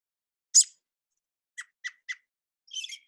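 An American Robin gives a sharp high squeal, then three quick clipped clucking notes and a final scratchy, chattering burst, with no other sounds.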